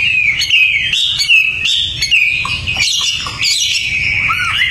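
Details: Tame Hwamei in full song outdoors: loud, sustained whistled phrases with looping rises and falls, interspersed with brief sharp notes and a low slurred note near the end.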